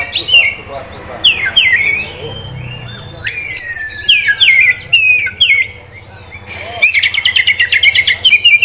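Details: Oriental magpie-robin singing, a prospect bird from a Kisaran dealer: separate slurred, up-and-down whistled phrases, then a dense, scratchy burst of rapid notes at the end.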